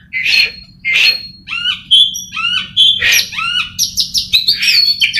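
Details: Oriental magpie-robin kept in a cage and trained for singing contests: harsh raspy bursts alternate with clear whistled notes and downward-sliding phrases, ending in a rapid run of short bright notes; faint low background hum.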